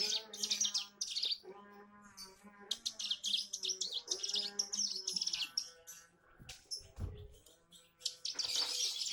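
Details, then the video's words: Practice song of a young bar-winged prinia still learning: bursts of fast, scratchy high chips and twitters, uneven in rhythm, with a constant humming drone beneath. "Suara ciblek gunung belajar brennn"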